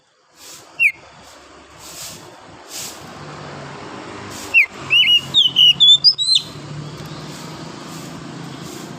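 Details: Wild forest oriental magpie-robin in the morning: one early whistled note, then a quick rising run of clear whistles near the end, over constant rumbling background noise.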